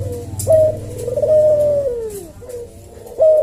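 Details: Tutor recording of a caged Javan collared dove in slow 'senggang' style: a short clipped coo, a long purring note drifting down, then another rising coo, over a low background hum.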